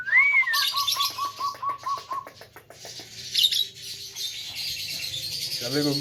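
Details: A tame Javan myna, known as a good talker with a full repertoire, gives a rising then falling whistle. A run of short, evenly spaced clicking notes and harsh, buzzy chatter follows.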